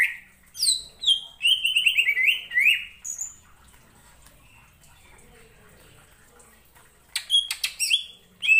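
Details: Greater green leafbird, a skilled mimic of other birds, sings to provoke other leafbirds into answering: rapid runs of bright whistled and slurred notes for three seconds, a long quiet pause, then another burst of sharp chirps.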